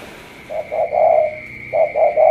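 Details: Brief burst of low coos from a spotted dove from Cà Mau, a drawn-out note between shorter ones, over a steady high electrical whine.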